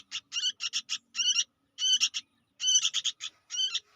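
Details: Young sooty-headed bulbul calling busily: short harsh, buzzy notes with layered harmonics, bunched in quick clusters of two to four, each cluster separated by brief pauses, on a quiet background.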